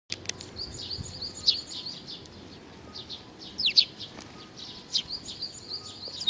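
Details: Several sparrows coming to be fed, recorded 15 May 2019, give sharp high chirps in loose clusters, some brief and scratchy, over a low steady background rumble.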